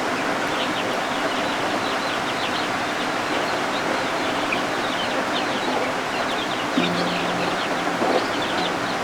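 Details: Homestead brood of just-hatched guineafowl keets under a heat lamp while rain falls outside. The keets make a continuous chorus of sharp, high chirps in quick bursts, over a rain wash, with a low steady hum in the final seconds.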